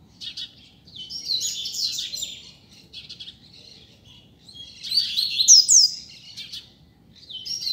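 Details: Double-collared seedeater, a bird loose in the street, giving bursts of quick, twittering high notes and sharp slurred whistles, with pauses between phrases and a faint low background hum.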